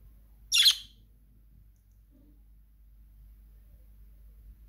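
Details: Pet budgerigar gives a single brief, harsh, scratchy squawk, then falls quiet.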